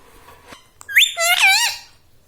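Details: Pet talking parrot said to say words such as "Mummy" and "Papa"; one loud, harmonic, squawky utterance with fast wavering pitch, a rising sweep then falling, wobbling tones over about a second, in a quiet indoor room.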